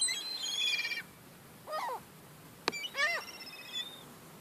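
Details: Young gulls squabbling over crumbs: a long high squealing call, then shorter harmonic squawks that bend downward, separated by a sharp click, with quiet outdoor background between calls.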